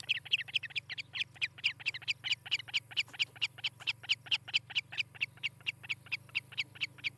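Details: Nesting osprey, Charlo, Montana, nest cam recording from the morning of 18 July 2018: steady stream of sharp, whistled chirps, roughly four a second, fairly regular and loud, with a low background hum.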